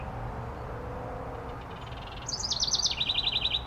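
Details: House wren pair at a birdhouse: over steady low background rumble, a sudden high, bubbly run of quick notes drops into a rapid, even trill of repeated chirps lasting about a second.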